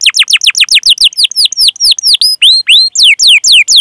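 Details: Canary singing 'cuit cuit' rolling (ngerol) song as master song for young, untrained or silent canaries: about sixteen loud down-slurred whistles, repeated quickly and fairly regularly.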